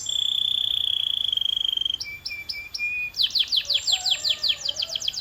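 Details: A Belgian canary, hyper-active, sings a fast, high trill, then shifts to spaced bright notes and a run of rapid sweeping chirps; it is used as a training sound to make canaries sing.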